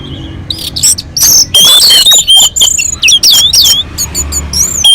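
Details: Orange-headed thrush on a mountain slope, its song meant to draw other birds into singing; fast bursts of high whistles, upslurred and downslurred notes and clicks, separated by brief pauses, faint low rumble beneath.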